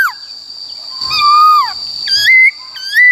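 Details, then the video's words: Khướu bạc má forest-style song: a long level whistle that drops at the end, then two rising whistled notes, with a continuous high-pitched tone behind. "Khướu Bạc Má HÓt Giọng Rừng Bao Phê Luyện Giọng Chim Bổi Ép Giọng Chim Non"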